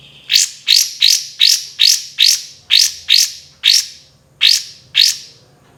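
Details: Kapas tembak, or olive-winged bulbul, in a training recording of lively song with loud tembakan notes: eleven bright rising sweeps fired in quick irregular succession, each sliding upward, with light low hum behind.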